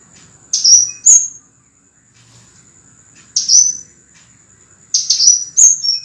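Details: Scarlet minivet song recorded as a master for training cage birds: sharp, clear high whistled notes in short bursts, some sliding downward, separated by pauses of one to two seconds; a faint steady high tone runs throughout.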